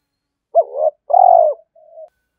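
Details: A spotted dove coos to rouse a decoy dove, "thổ" voice style: a short upswept note, a sustained throaty coo, then a soft low trailing murmur.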